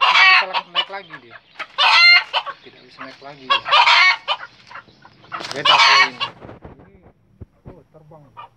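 Red junglefowl crowing: harsh, clipped bursts of about a second, repeated every couple of seconds, with softer clucks between them.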